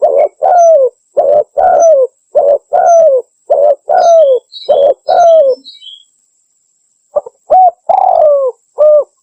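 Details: Tekukur, the spotted dove, calling fast and loud for luring, rapid back-to-back coos with faint high chirps from another bird, then a pause and a final slower phrase ending in a long falling coo.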